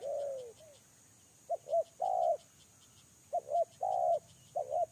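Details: Spotted dove lure bird cooing: a drawn-out falling coo, then groups of two short notes followed by a longer mellow coo, repeating roughly every two seconds over a constant high hum.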